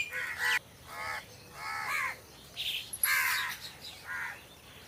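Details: Crows in trees giving loud, drawn-out raspy caws, some with a downward bend, separated by short pauses, with a brief sharp click partway through.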